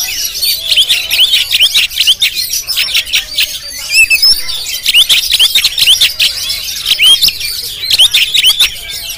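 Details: Oriental magpie-robin of the Jampang type, filmed on a GoPro, delivering a dense, rapid song of varied whistles, chirps and harsh squawky notes, mostly high-pitched, with hardly a pause throughout.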